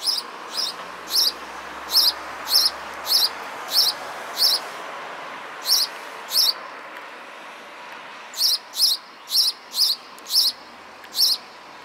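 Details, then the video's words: A sparrow chirps over and over, roughly sixteen short high notes in two bursts separated by a pause of a couple of seconds, with low steady background noise. "Song of sparrow"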